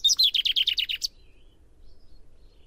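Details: Common chaffinch singing: a quick run of about eight bright, slightly descending notes lasting one second, ending in a sharp upward flourish, then quiet with faint distant birds.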